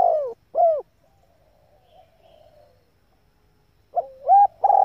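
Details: Female spotted dove calling to excite males: two falling coos end one phrase, a near-silent gap follows, then a new phrase opens with a short note, a rising coo and the start of a long coo.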